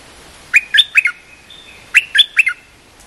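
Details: Short cream-vented bulbul song used to train young birds, two brisk phrases of four chirpy, slightly warbling notes with a thin sustained tone between them.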